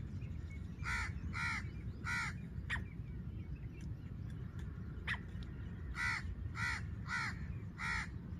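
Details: A female black francolin calls, a sound used to lure birds when hunting, in Layyah, Punjab, Pakistan. Harsh, hoarse notes come in short bursts of two or three, with a low rumbling background.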